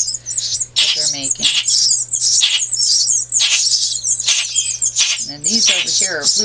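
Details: Chipping sparrow nestlings being hand-fed give a dense, continuous chorus of high, thin, sibilant begging chips; a person's voice is heard briefly between bursts.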